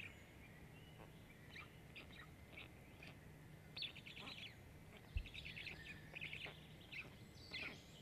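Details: Black stork nestlings, five of them, being fed at a nest-camera site in Jõgeva County, Estonia, 29 May 2022: faint scratchy, buzzy begging bursts growing busier toward the end, with a low mechanical hum throughout.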